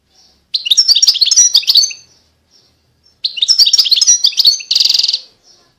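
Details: Two quick bursts of European goldfinch song, each a tumble of high liquid twitters, the second ending in a harsh buzzy trill.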